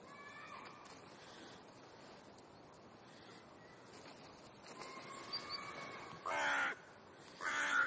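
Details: Afternoon crow gathering in Leipzig's Clara Zetkin Park, Germany: faint far-off cawing at first, then two loud, harsh caws close by near the end, each under a second long.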